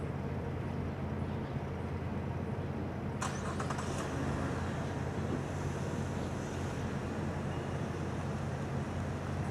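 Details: Steady road traffic hum with one brief clatter partway through, and no animal sounds.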